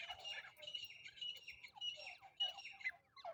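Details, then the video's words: Francolin (teetar) giving harsh, squawking calls in quick, scratchy bursts, repeated several times over a few seconds with brief pauses; a hunting call used with a net trap. "teetar hunting sound"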